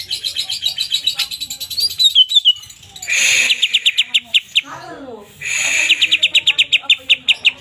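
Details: Greater green leafbirds, twelve birds, chatty and singing hard: sweeping whistled phrases give way to fast bursts of sharp, evenly repeated high clicking notes, about six per second, in two long runs separated by a short gap.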